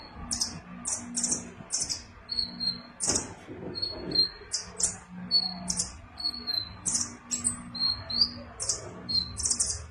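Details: Caged sunbird in full song, using konin-style bursts: rapid high ticking clusters and sharp, thin, sustained whistles, repeated roughly every half second, with faint low room noise.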